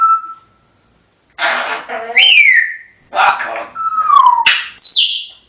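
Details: Chattering African grey parrots mix talk-like bursts with sliding whistles: a level tone, then chatter, a whistle falling from high, and a downward-gliding note before a final high, short whistle.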